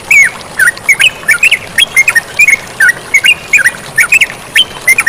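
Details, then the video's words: Lively yellow-vented bulbul song over running water: a steady string of bubbly, up-and-down whistled notes, roughly three each second, bright and clear above a faint hiss. "MASTERAN TERUCUKAN GACOR DAN SUARA AIR MENGALIR"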